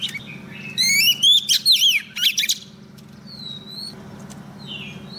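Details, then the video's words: Female Oriental magpie-robin used as a decoy to call a male for trapping: a burst of rising and swooping whistles and sharp chirps, then quieter clear high whistles at long intervals, over a constant low hum. "Choè than mái mồi hót gọi trống cực hay"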